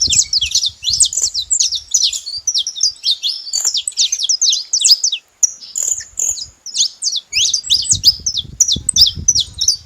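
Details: Wild saffron finch singing free in nature: a long rapid run of high, sharp chirps and downslurred notes, briefly pausing midway before resuming, with faint low rumble underneath.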